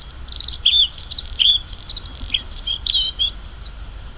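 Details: Bluethroat singing in the wild: a fast, varied run of high, sharp chirps, short trills and thin whistled notes, with brief pauses between bursts and a low background rumble.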